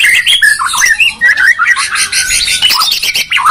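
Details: Medan and Borneo white-rumped shamas dueling: continuous fast warbling of whistles and harsh chattering notes, interrupted by a few brief pauses, with a clear rising slur near the end.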